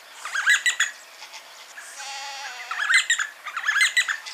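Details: D'Arnaud's barbets call and duet near Lake Baringo, Kenya: bursts of rapid, chattering, bubbly notes that rise and fall, with a quieter lower trill between the bursts.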